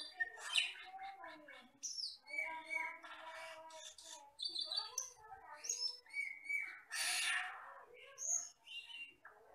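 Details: Wild-natured common hill myna from the forest, black with red eyes, recorded to train other birds. Dense medley of warbled, gurgling notes, high slurred whistles and a loud rasping hiss near the end.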